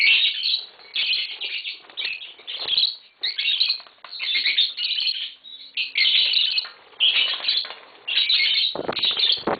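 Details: Dense, shrill chattering from tame green Fischer's lovebirds kept as a pair indoors, sharp chirps in rapid clusters separated by short gaps, with some flapping or knocking sounds near the end.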